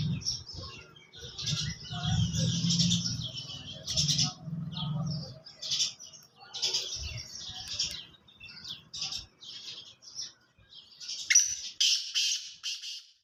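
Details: Black francolin calling after a long stretch of busy twittering from other birds over a low rumble. Near the close come loud, harsh, grating notes in a short rapid series.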